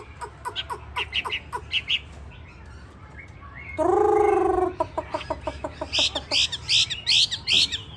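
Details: Hwamei with yellow legs, yellow bill and yellow plumage, known as a 'tam hoàng' (three-yellow) bird, giving quick series of sharp chirping notes. A loud, lower, drawn-out harmonic call interrupts midway, followed by bright, clipped high phrases.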